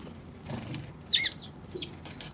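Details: On March 16, a Eurasian tree sparrow utters a bright chirp followed by a quicker, descending tweet, with soft rustling before and low background hum throughout.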